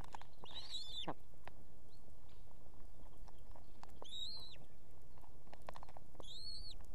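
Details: Nesting female Osprey in Estonia, with two chicks, summoning the male to bring fish; three separate high, piercing, whistled notes spaced about three seconds apart, over constant low hiss and faint clicks.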